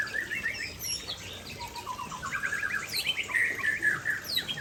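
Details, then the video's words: Near a waterfall, a white-rumped shama sings lively phrases: quick series of short, descending whistled notes repeated about twice a second, then higher slurred sweeps, over constant rushing water. "Murai Aceh Gacor dekat Air Terjun"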